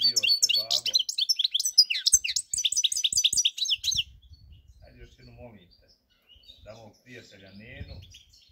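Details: Goldfinch song from 4 March 2022: about four seconds of dense, rapid twittering and sharp chirps, then the bird falls quiet while a person's voice and low indoor sounds continue.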